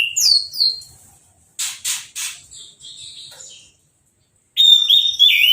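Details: After moulting, a caged orange-headed thrush is bathed with a hose and sings at once without a cage cover. Descending whistles are broken by bursts of spray, then a loud rich warbled phrase follows.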